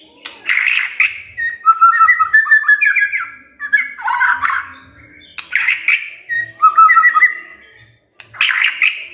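Magpie-robin song in rich bursts of clear, varied whistles with harsher scratchy notes, phrases rising and falling and broken by short pauses.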